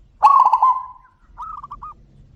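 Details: Zebra doves in a loud calling exchange: a near bird gives a strong rapid trill of cooing notes, and a fainter, slightly higher phrase of four notes answers.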